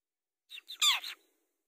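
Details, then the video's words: Long-tailed shrike sound played as a lure to get other birds singing: a brief harsh, squawking burst of three rough notes, the middle one loudest and broadest, then silence. "Pancingan Burung Cendet supaya gacor"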